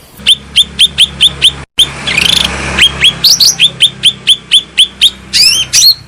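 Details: Lure and therapy song of the cucak rante bulbul: evenly spaced, sharp, down-slurred chip notes repeated about three times a second, broken by a short scratchy burst and rising twitters, over a low steady hum.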